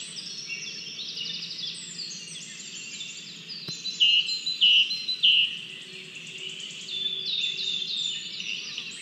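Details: Lesser spotted eagle nestling in Latvia, 27 June 2022, on a nest camera, begging for food after abandoning a small mouse delivered by the adult male. Continuous high chittering, a single click, then three louder piercing whistled squeals near the middle before the chatter resumes.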